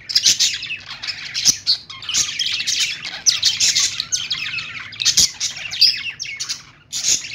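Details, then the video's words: Morning chatter from a group of budgies: continuous high twittering, chirps and scratchy warbles from several birds at once, brief louder clicks, a low steady hum underneath. "budgie birds morning sounds"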